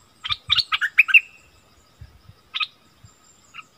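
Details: Wild striated bulbuls in a fierce exchange, 8 February 2021: a short cluster of about six loud bubbly notes, one ending in a drawn-out whistle, then two sparse single notes.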